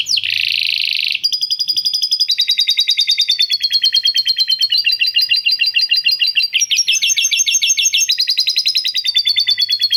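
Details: Canary in long, vigorous 'gacor panjang' song with lovebird 'ngekek' chatter worked in. It opens with a dense buzzy burst, then rapid high trilled phrases step between pitches, each held for about a second, with no other sounds.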